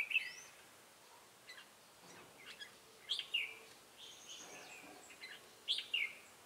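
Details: Decoy red-whiskered bulbul used for trapping wild bulbuls in Bình Phước, Vietnam, on 25 June 2018, singing ché-style; three clear bubbly, slurred whistled phrases a few seconds apart, each dropping in pitch, with quieter notes between.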